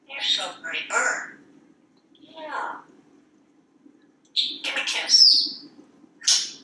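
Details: Pet male African Grey Parrot chattering from a kitchen faucet in a Texas house. Gives mumbled speech-like phrases and a brief bright whistle, broken by quiet gaps, with a steady low room hum underneath.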